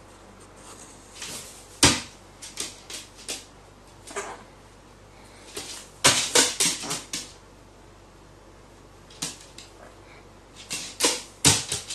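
Indoor room noise: scattered sharp knocks, clicks and rustling thumps in irregular bursts, with no clear animal call.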